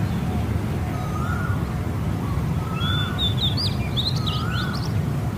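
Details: Small bird singing in the morning, in Thailand: short clear whistled phrases, then a busier run of high, sharp chirps and twitters over a loud, steady background hiss.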